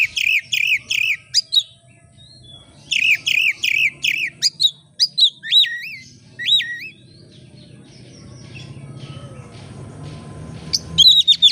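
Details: Oriental magpie-robin singing to lure other birds: two series of evenly repeated wavering whistles, then looping slurred notes, fading into a low rumbling background before a final burst.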